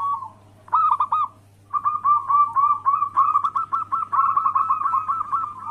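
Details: Zebra dove of local stock singing anggungan-style lure song to provoke rivals: a short coo phrase, a brief silence, then a long fast series of bubbling, evenly pitched coo notes, about four per second, with a constant background hum.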